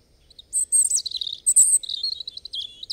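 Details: Song of a European robin: a bright, high phrase of shrill whistles and jangling trills, with one piercing squeal midway, then a rippling, wavering warble that keeps going to the end.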